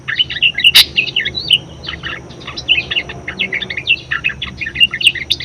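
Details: Budgerigar in lively song, intended to encourage and tutor other songbirds: a steady stream of rapid twittering, squeaky chirps and short trills, punctuated early by one hard, sharp click.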